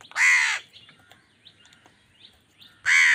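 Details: Angry crow quarrelling with wild birds over food: a loud, harsh caw at the start and another at the end, with faint softer calls from other birds in between.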